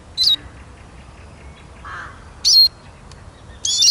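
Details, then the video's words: Eurasian siskin singing in sparse phrases: three short, sharp, high chirps spaced more than a second apart, with a faint lower note between them. "Как поет чиж"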